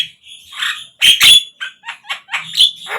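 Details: Lure song of a Javan myna for prompting captive mynas to sing: loud grating squawks mixed with brief bright whistles, uneven and chattering over three seconds.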